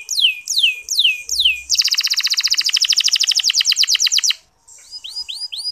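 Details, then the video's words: Canary giving gentle 'ngeriwik halus' song used to get male canaries singing: three loud falling whistles, a rapid rattling trill, a pause, then faint upswept notes. "Suara Kenari Ngeriwik Halus"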